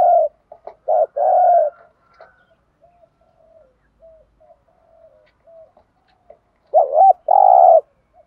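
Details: Spotted dove kept as a decoy, calling to stir other birds to coo. Loud coo phrases open and close the recording, with a quiet stretch of soft, faint notes between them.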